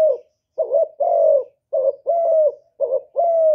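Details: Spotted dove decoy bird, Cà Mau, cooing to provoke and lure wild doves: low mellow coos in pairs, a short wavering note then a longer steady one, repeated about every 1.2 seconds, in quiet surroundings.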